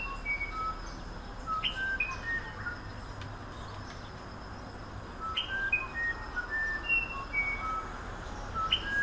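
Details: Musician wren, a wren of the humid Amazon forest, singing a series of pure, clear whistled notes at varied pitches, spaced like a slow melody, over a steady rushing forest background.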